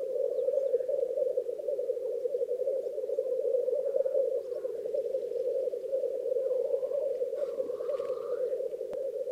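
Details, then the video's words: Black grouse lek at Krasny Bor with females present during the peak lekking phase: an unbroken, low, bubbling cooing chorus, with brief higher notes breaking in near the end. "Тетерев. Самки на току. Black Grouse lek."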